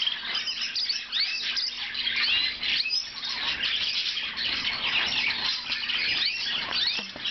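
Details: Sustained warbling from a blue Lizard canary, mixing sweeping whistled slurs, chirps and brief squeaky notes in a dense, unbroken flow.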